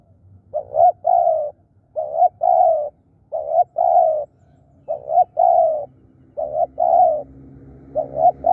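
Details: Spotted dove kept as a decoy, said to call fiercely and diligently, repeats its cooing phrase six times at steady intervals, each a clipped double note then a long rolling coo.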